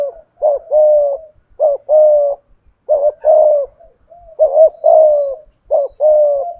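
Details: Decoy spotted dove in the admired 'thổ cục' voice, cooing continuously: short paired notes each run into a sustained mellow coo, about one phrase per second or so. Faint low ticks sound in the background.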